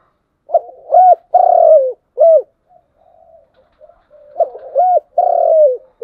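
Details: Spotted dove, 'giọng đồng' song style, giving two low cooing phrases: quick hooked notes lead into a sustained falling coo and a short final note, with soft murmured coos between phrases and no other sounds.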